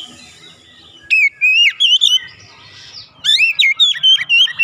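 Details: Oriental magpie-robin song for therapy to prompt a bird that has gone quiet: two bursts of bright whistled phrases with quick rising and falling slurs, separated by a short pause.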